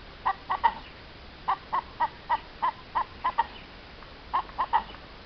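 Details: Hen recorded in April 2015, giving short, evenly spaced clucks in groups of two or three, with brief pauses between groups and faint background noise.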